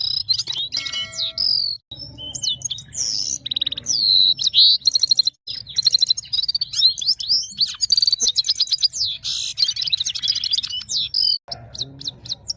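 A red-fronted serin sings a fast, continuous stream of high, tinkling twitters, trills and buzzy notes with hardly a pause, over a faint low hum.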